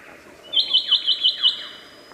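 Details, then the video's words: Superb lyrebird in the wild, Australia, mimicking other birdsong: six bright, evenly spaced high chirps in quick succession over a thin sustained whistle, with faint falling slurs behind. "Burung Peniru Terbaik, Burung lyre kecapi / lyrebird di alam liar"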